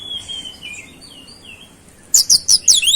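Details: Oriental magpie-robin with gacor beset song and flowerpecker imitations: soft, thin, high whistles at first, then a loud rush of very high, sharp, rapidly repeated notes.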